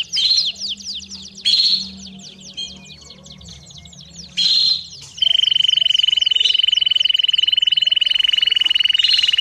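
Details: Canary song used to train young birds: short bursts of quick sweeping notes broken by pauses, then a long, steady, high buzzing trill held for several seconds.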